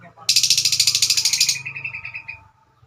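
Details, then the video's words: Lovebird, a female, giving a long trilling song: a fast, even rattle of high buzzy pulses lasting over a second, trailing off into softer, lower repeated notes. "Kicauan burung Lovebird"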